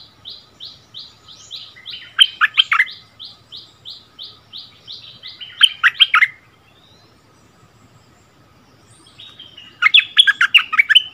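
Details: Bulbul on its old territory answering a newly settled resident: a row of short, high chips, then a fast burst of liquid whistles, a second burst, a quiet gap, and a final warbled phrase.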